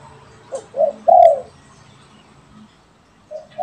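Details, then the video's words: Pet and wild spotted doves calling back and forth; a short phrase of soft coos rising to a loud hollow note, a low hum beneath, then a quieter coo starting again at the end. "SUARA BURUNG‼️ DERKUKU PIARAAN VS DERKUKU LIAR BERSAHUTAN_MERDU SUARANYA"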